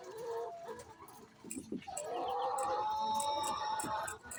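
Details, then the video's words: A hen calling before laying eggs: short clucks, then a long, loud, steady, nasal, drawn-out note held for about two seconds with a rough edge, ending in a brief squawk. "Chicken makes noise before laying eggs"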